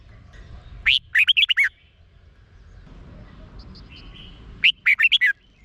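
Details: Red-whiskered bulbul song from Thailand, played to rouse caged birds: two loud phrases of five or six liquid, swooping whistles, separated by a quieter stretch with soft high chirps and a low hum.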